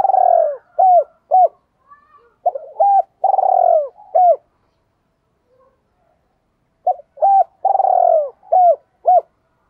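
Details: Spotted dove cooing, used to lure other doves: soft low hooted phrases of short rising-falling notes and longer drawn coos, two bouts separated by a silent gap, clean recording with little background noise.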